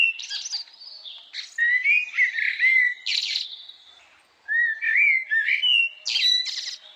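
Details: Rosella giving a run of clear whistled and chirping notes, some sliding and rising, in short bursts separated by brief pauses, with a harsher buzzy note near the end; no other sounds.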